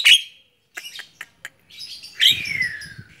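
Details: Hand-tame Javan myna giving a sharp note, then sparse clicks and chips, ending with a long slurred whistle that falls steadily in pitch over a low rumbling background.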